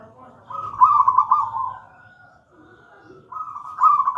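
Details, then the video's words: Zebra dove, local gedang rojo type, singing to tutor and lure other doves: a long rippling, purring coo phrase, about a second of near silence, then another trilled phrase rising in loudness. "Perkutut lokal gedang rojo gacor merdu bird voice"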